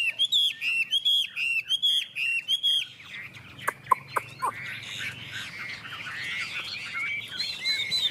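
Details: Singing contest of two Chinese hwameis in Vietnam: a string of repeated, clear, down-slurred whistles about twice a second, then sharp clicks and a softer, jumbled warble.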